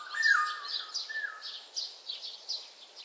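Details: Oriole, one of eight different oriole sounds: a loud fluty slurred whistle falling at the start, then a shorter whistled note near one second, over steady high chirping from other birds about three times a second.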